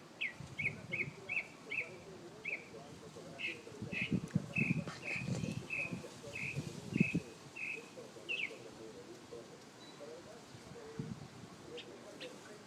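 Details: Bird singing in the morning, heard daily outside a home: a run of short, clipped high chirps repeated about twice a second, then scattered notes, over low rumbling background noise and faint voices.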